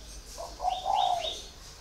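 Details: Caged spotted dove, four years in a cage, giving a brief soft coo of two low mellow notes, the second longer, with faint thin chirps above it.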